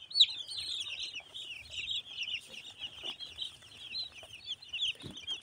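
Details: Many broiler chicks during brooding on a farm at Nagoriakandi, Narsingdi: a dense, continuous chorus of high, thin peeps overlapping throughout, with occasional soft low thuds beneath.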